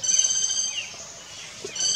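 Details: A Speckled piculet in India, pecking at a branch and climbing a liana, gives a thin, very high, sustained call that fades briefly midway and returns strongly at the end.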